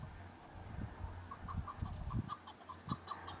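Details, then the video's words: Male chukar partridges fighting during breeding season on Bamo mountain, Kurdistan: a steady series of short clucking chuk notes about every fifth of a second, with thumping and rustling noises underneath. "شەڕە کەو - دەنگی کەو - معرکة بين الطيور حجل- کبک - صوت حجل - Chukar partridge fighting -Chukar call"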